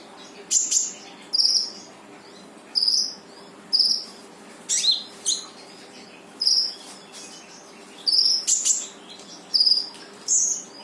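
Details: Energetic brown-throated sunbird song played to make a silent bird answer: a long run of high piercing chirps and twittering bursts, each short, spaced irregularly about every second, with a faint constant background hiss.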